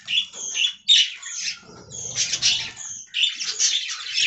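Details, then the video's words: Short bursts of budgerigar warbling and chirping in a colony aviary, broken by brief lulls, with low rustling and wing noise between the calls. "Budgie Talking Compilation"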